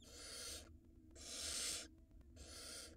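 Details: Barn owl on a live nest camera in Israel, 2022 breeding season, as the male hands a mouse to the female for the nestling: three long rasping hisses, each under a second, with short quiet gaps between them.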